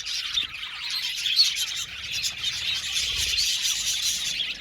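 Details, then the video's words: A colony of Australian budgerigars in an aviary chirping together: constant high-pitched twittering and warbling from many birds, with occasional sharp squeaks rising above the mass. "budgies chirping sound"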